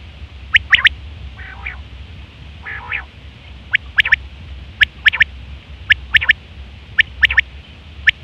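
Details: Female quail (batair) for luring quails: sharp double chirps recurring about once a second, with two raspy nasal buzzes early in the series, over faint low hum.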